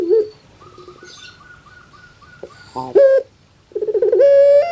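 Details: ['Puter pelung dove, a pet bird from Java, Indonesia, likened to a crying baby: a soft pulsing series of notes, then a sharp rough burst and a rising, sustained long coo.']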